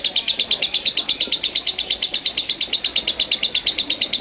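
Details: A lovebird performing an unbroken chattering (ngekek) bout lasting 5 minutes 25 seconds gives a shrill trill of high, scratchy notes pulsing about six times a second, over faint room noise.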